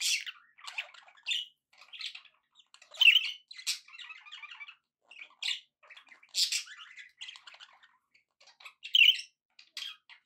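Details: Happy budgerigars kept as pets chattering: bursts of squawky, buzzy notes and short chirps, broken by brief pauses, with a few louder harsh squawks standing out.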